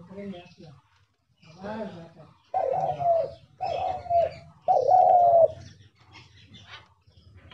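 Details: Spotted dove kept as a decoy in a hunter's trap cage, calling indoors: soft low notes, then three loud hoarse coos in a row, each about a second long, with faint chirps in the background.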